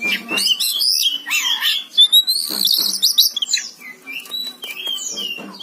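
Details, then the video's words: Oriental magpie-robin with a varied song of sweet slurred whistles, mixed with harsher buzzy chatter and quick rising notes, delivered in uneven bursts. "Suara burung kacer gacor"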